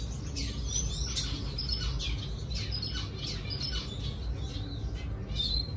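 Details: Red siskin singing to draw a female, with bright high twitters, downslurred chips and short trilled phrases repeated irregularly over several seconds against a steady low-frequency hum.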